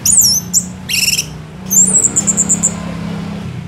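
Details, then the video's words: Orange-headed thrush in persistent gacor song, a tutor track for other songbirds: very high squeaky slurred notes, a short burst of chirps, then a thin whistle followed by a string of about six quick ticking notes. "Anis Merah GACOR Panjang"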